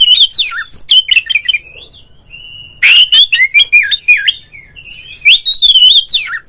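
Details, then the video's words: Oriental magpie-robin song used as a lure to provoke a rival so a kept bird sings and fans its tail; rich varied whistled phrases, rising and falling, with harsh buzzy notes and a long steady whistle in bursts. "mencari LAWAN TARUNG suara pancingan burung Kacer agar CEPAT GACOR FULL buka ekor dongkrak EMOSI"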